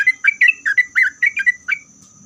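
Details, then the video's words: Brief burst of sooty-headed bulbul song, aimed at making other bulbuls reply: about ten clear, mellow whistled notes, some rising and some falling, delivered quickly before silence. "Kicauan Trucuk Gacor Ini Membuat Trucuk Apapun Pasti Langsung Nyaut"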